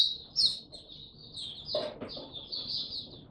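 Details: A white-eye kept as a hobby bird in Singapore, resuming its song in July 2023, pours out a continuous high, thin twitter, broken near the middle by a couple of soft clattering knocks.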